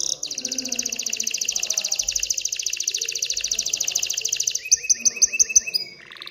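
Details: Excited male canary singing to stimulate females to mate and build a nest: a long fast buzzy trill of rapid repeated notes, then a slower series of clear rising whistled notes repeated about five times, ending in a lower tour.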